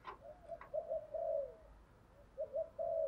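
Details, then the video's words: Spotted dove used as a lure to provoke wild doves, giving a series of muffled, even coos in two groups over steady background hiss, with a couple of short sharp clicks at the start. "chim cu mồi thúc đấu và gáy gọi kích bổi rất xiêng gáy"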